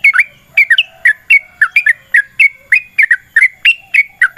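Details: Energetic yellow-vented bulbul giving a long rapid fighting 'ropel' song, meant as a lure to set other bulbuls singing. Clear, fluty, bouncing note pairs, rising then dropping, repeated steadily about twice a second, with a quiet background.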